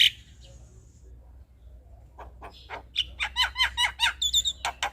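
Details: Male Javan myna song used to lure other mynas into responding: after a brief whistle and a quiet pause, a rapid series of clicks and downslurred chirps builds, ending in thin high whistles.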